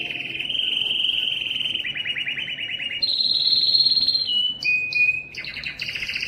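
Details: Yellow canary in full song: fast rolling trills at a mid-high pitch that step up to a higher, purer tour, then short clipped whistles and a final buzzy burst.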